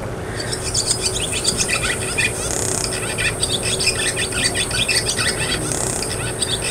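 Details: Barn swallow (Hirundo rustica), call.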